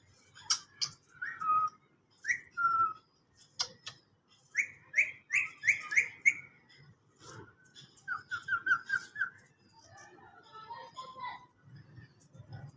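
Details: Green parrot calling: a series of short whistled notes, some single and some in quick runs of five or six rising chirps, mixed with clicks and rustling.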